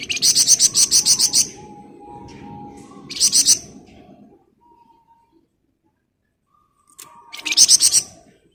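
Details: Scarlet minivet in lively ngebren rapat song, a dense run of about ten rapid, piercing high pulses, then two shorter shrill bursts after long silences, soft thin whistles in the gaps.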